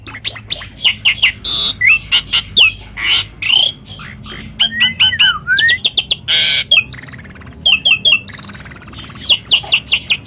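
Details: Javan pied starling in full, loud song with lovebird mimicry: harsh squawks, sharp whistled slurs and rising and falling notes, mixed with buzzy trills and shrill chatter in quick bursts.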